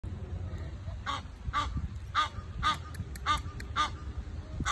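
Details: Egyptian geese reacting to a squirrel invading their space: harsh nasal honks in irregular bursts, roughly one per second, over low rumbling background noise.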